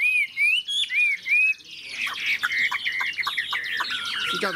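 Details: A large 72 g caged Chinese hwamei, still not fully tame, opens with clear, looping whistles, then breaks into a rich, rapid stream of varied bright notes and trills.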